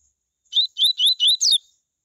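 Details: Short coleiro tui tui phrase used to stimulate other coleiros: four rising, high-pitched whistles quickly repeated, then one longer downward sweep to close, with no background sound.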